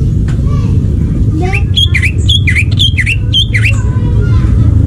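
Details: Wild forest greater green leafbird giving about six looping, down-and-up whistled phrases in quick succession over loud, continuous traffic or engine noise.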